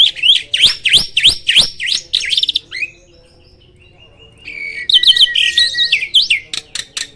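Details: Black-winged starling, rarely seen in the wild, rattling off quick sharp chips, falling silent briefly after a soft whistle, then resuming with buzzy, strident chatter.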